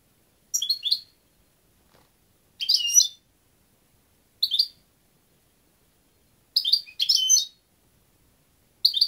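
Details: European goldfinch singing in repeated high, jingling bursts every two seconds or so, some phrases doubled into quick pairs, against a clean silent background.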